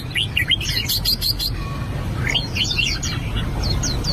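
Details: Albino red-whiskered bulbul practising its song, giving a quick run of bright warbled whistles, then a rapid clicking rattle, a brief pause, and a final series of falling chirped notes, with a low background hum throughout.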